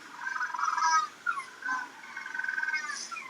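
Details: Magellanic penguins at a zoo habitat, at a casual midday snack feed just after breeding season, loudly braying to communicate: harsh, donkey-like calls in rapid pulsed bursts, rising and falling, repeated twice over a few seconds.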